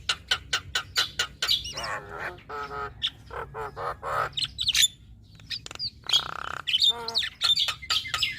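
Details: Singing female Javan myna: fast series of sharp clicks and chirps, harsh buzzy notes and a long rough rattle near six seconds, delivered in lively, crowded bursts.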